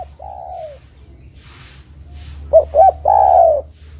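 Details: Actively singing spotted dove, recorded for trapping and for prompting other doves to call. A falling coo, a quiet gap, then a pair of strong hooting notes and a long descending coo.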